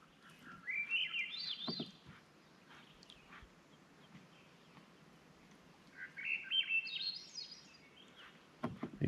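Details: Swainson's Thrush sings in the wilderness during a canoe trip, giving two echoing, flute-like phrases that spiral upward about five seconds apart, with a low outdoor rumble and a few knocks.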